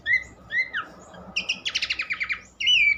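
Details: Song of Horsfield's babbler used to stimulate other birds: two slurred falling whistles, a pause, then a quick rattling trill of about a dozen notes and a final sharp whistled note.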